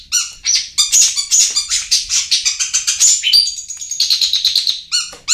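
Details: Lure recording of a long-tailed shrike for coaxing quiet birds to sing: harsh, scratchy, rapidly varied notes in quick bursts, then a sustained high whistled run sliding downward, ending with abrupt chattering.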